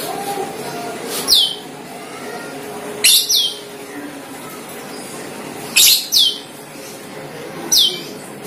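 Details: Cucak keling, a bird used as a lure call to attract the same species; sharp descending whistles sweeping from high to lower pitch, given singly or in pairs about every two to three seconds over a low background hum.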